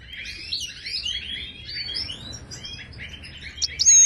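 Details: Moroccan goldfinch tutor song, Ouidani style, for caged birds: a continuous soft tinkling twitter of slurred notes, fading slightly midway, with a sharp high call at the close.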